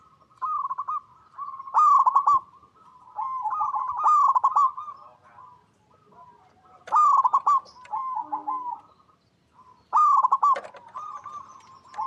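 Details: Zebra dove recorded in its natural habitat, cooing in soft, rolling phrases of quick stuttered notes around one pitch, repeated every few seconds with brief pauses; faint higher chirps between.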